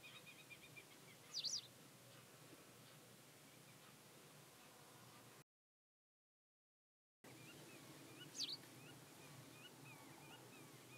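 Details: Hybrid pied wagtail calling at Klokbekerweg, Ottoland, on 4 May 2020: two brief, sharp, high calls about seven seconds apart, with a short silent gap between them, over a faint steady background hiss.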